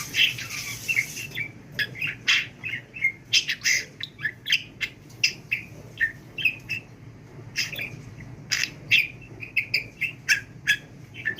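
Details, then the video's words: Pet budgerigar undergoing speech training, said to talk without pausing for breath; dense, rapid stream of scratchy chirps, clicks and warbled notes, nearly continuous for eleven seconds, with brief squeaky whistles. "NEFES ALMADAN KONUŞAN MUHABBET KUŞU"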